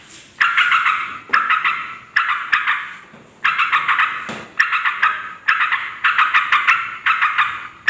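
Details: Yellow-vented bulbul in noisy chattering meant to draw wild males and females: harsh, bubbly bursts of rapid notes lasting about half a second to a second, separated by brief pauses.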